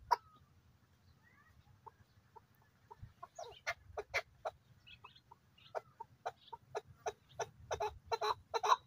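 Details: Excited male desi chukar partridge in good weather: faint, short clucking notes start sparse and quiet, then speed up and grow louder into a rapid chattering series near the end.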